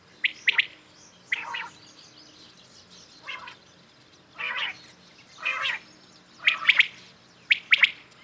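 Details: Common quails calling at morning: scattered bursts, some sharp quick triplets, others softer, rasping and smeared, arriving every second or so with gaps, as if from several birds at differing distances.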